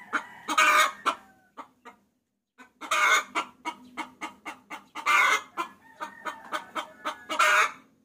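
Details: Lure call of a hen summoning a rooster: loud raspy squawks alternate with series of quick clucks, with a brief pause near two seconds before the squawk-and-cluck pattern resumes.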